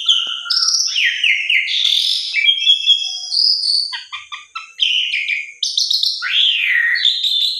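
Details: Asian pied starling lure song meant to get stalled or stressed starlings singing: a low whistle, buzzy downslurs, high thin notes, short clipped chips and a long downslurred whistle near the end.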